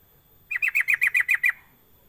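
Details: Sooty-headed bulbul lure call to make other bulbuls call: a crisp burst of eight quick, evenly spaced chattering notes, each dropping slightly in pitch, in a quiet setting.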